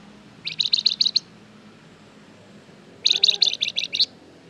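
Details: Flamboyan in strong song, meant to get other birds to reply: two similar phrases, each about seven quick, bright, high chirps over roughly three quarters of a second, separated by two seconds of near quiet.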